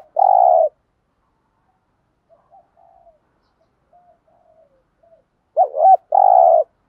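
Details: Spotted dove cooing in the 'giọng thổ' voice style, played to prompt decoy doves to coo back: a long mellow steady coo, faint soft notes, then a quick pair of looping notes leading into another long sustained coo. Otherwise quiet.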